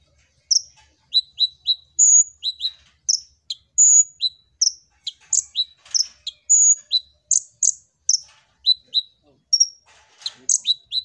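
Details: Energetic song of Van Hasselt's sunbird (kolibri ninja), meant to lure other birds into singing: a long unbroken stream of high ticking chirps, short whistles and longer piping tones, steady and clean.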